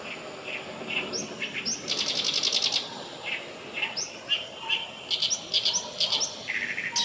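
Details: Oriental reed warbler recorded 6 June 2020 at Kanai retention basin in Japan, delivering a loud, rasping song of croaky chattering phrases, with a rapid buzzy run in the middle and more scratchy repeated notes that carry on to the end.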